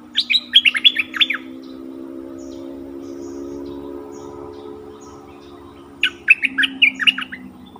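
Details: Decoy bulbul used in the forest to attract wild birds sings a brisk phrase of bubbling, up-and-down notes, then a steady low drone for several seconds before a second similar phrase.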